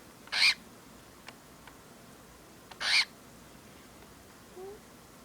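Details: A pet cockatiel, standing on its owner's iPod and biting at the owner, gives two harsh, hissing growls a few seconds apart.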